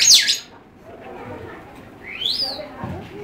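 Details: A cockatoo in the butterfly house at Hagaparken, Stockholm, gives one loud, harsh screech, then a shorter rising squawk about two seconds later, with quiet voices talking in the background.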